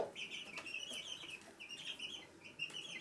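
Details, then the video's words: Chicks with their mother hen inside a house at Sandoval de la Reina in April 2016, giving continuous high, wavering cheeping peeps that run one after another with only brief gaps. "Gallina con pollitos"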